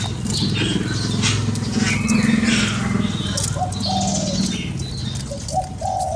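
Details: Spotted dove used to stir a lure bird, heard as short soft coos with a drawn-out note near the middle and another phrase at the end, over a buzzing low engine-like drone and faint chirps.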